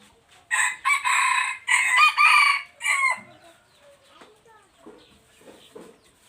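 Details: Three-year-old red junglefowl cock, recorded 26 January 2023, gives a full crow of about three seconds in several loud, harsh, strained bursts rising and falling in pitch. Softer chirps and clucks follow in the quiet afterward.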